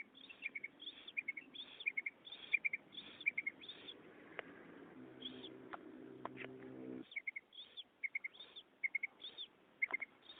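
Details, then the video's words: A female common quail's call, used for attracting quail in net hunting: soft, high paired notes repeated about twice a second, with a low droning hum underneath for a few seconds. "amazing female quail sound | مادی بٹیر کی زبردست آواز"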